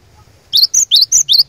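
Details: Singing cinereous tit kept as a lure to draw out rival birds: after brief quiet, five quick notes alternating between a high flat whistle and a lower swooping note.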